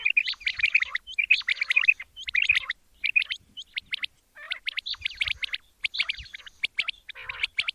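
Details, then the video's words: Quail voice used at dawn for hunting, heard as rapid clusters of shrill chirps and brief whistled notes, dense at first, then sparser groups after a pause mid-way. "Amazing batair ka kartab daiken | latest chukion wali awaz subha k liye"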